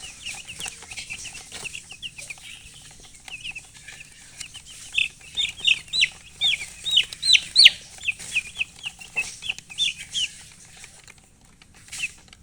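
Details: Chirping from colored chickens, quiet at first, then a dense run of loud, high, slightly rising peeps in quick succession through the middle before fading near the end.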